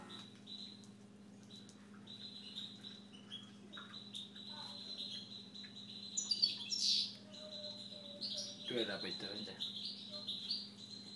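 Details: Owner's Siberian goldfinch singing: long run of high, even whistled notes held and repeated in phrases, broken by a louder, scratchy twittering flourish midway and a low rasping sound later, steady low hum behind.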